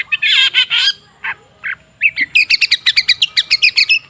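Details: Long-tailed shrike, a lure sound for a shrike that has stopped singing. A harsh, grating chatter and two brief rasping notes lead into a fast, even series of about fifteen sharp, ticking chips.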